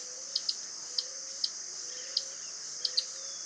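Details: Common tody-flycatcher recorded in Itatiba, São Paulo, Brazil, on 4 March 2018 at 09:00, giving dry, high ticking notes, about seven in three seconds at uneven spacing, over a steady high insect drone and a faint low hum.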